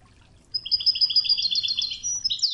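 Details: European goldfinch song in the Widani style (توغزة), a training recording set to murmuring river water: a quick run of bright twittering notes, repeated paired buzzy syllables, ending in a rising sweep, with faint low background hiss.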